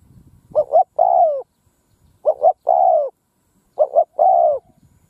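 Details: Decoy spotted dove in a field cooing to attract wild doves, repeating an identical phrase three times about every one and a half seconds. Each phrase is two clipped hoots, then a sustained, gently descending coo.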